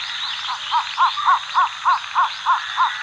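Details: Cinnamon Bittern (Ixobrychus cinnamomeus) in Pingtung County, Taiwan, on 14 July 2022, gives a steady run of about nine short, mid-pitched clucking notes, roughly three per second, over a constant insect hiss.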